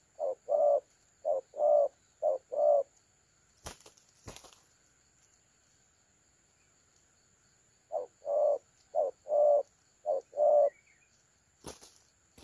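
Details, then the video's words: Spotted dove on 30 October 2022 used for dove trapping, cooing in the prized 'thổ calam' style. Two bursts of five soft, low, hollow coos, with sharp knocks and clatter between the bursts. "Thổ calam .Bẩy cu gáy 582 . Cu gáy phương quý"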